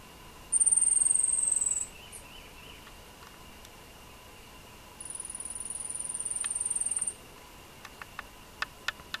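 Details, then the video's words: Gilded hummingbird (Hylocharis chrysura) giving two very high, thin, drawn-out whistled notes, the first slightly falling, then a few sharp ticks over a faint steady hum. "O canto do beija- flor- dourado"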